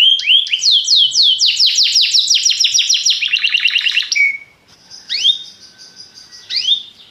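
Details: Belgian canary song, widely popular: bright upswept chirps accelerate into a rapid descending trill lasting about four seconds, then a short low note, a quiet pause and scattered high sweeping chirps.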